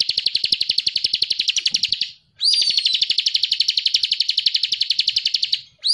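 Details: Ciblek cristal (Bar-winged prinia) in energetic ngebren song, recorded as a tutor for songbird training. Long runs of fast, high, evenly pulsed notes run for several seconds, break off, then resume after a quick upward-swept whistle.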